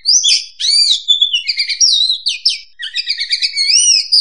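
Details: Kacer or oriental magpie-robin song for luring birds into traps: loud, fluid phrases of arching whistles overlaid with buzzy trills, almost without pause.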